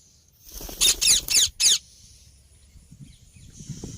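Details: Rose-ringed parakeet calling outdoors with a quick series of four loud, harsh, raspy screeches in just over a second, then quieter rustling and low background noise.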